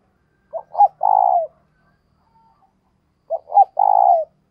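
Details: Keen cooing from a decoy spotted dove used to encourage other doves: two low phrases, each a pair of short clipped notes and a long sustained coo sliding slightly down at the end, with silence between.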